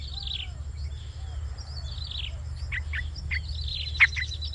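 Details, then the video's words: Yellow-vented Bulbul chicks on day 5, begging hungrily while being fed: thin, high, wheezy squeaks that burst into sharp rising notes near the end, over a steady low hum. "Feeding Hungry Chicks - Yellow vented bulbul"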